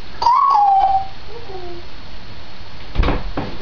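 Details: Two-year-old Grey parrot (Psittacus erithacus), recorded 16 May 2010, gives a clear whistle that lifts slightly then slides down, followed by two low, soft notes; a couple of sharp knocks come near the end.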